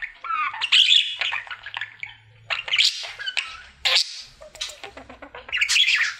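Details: Male budgie kept indoors, singing his daily routine: scattered short squeaks and chattery bursts separated by quieter gaps, with a soft watery background noise.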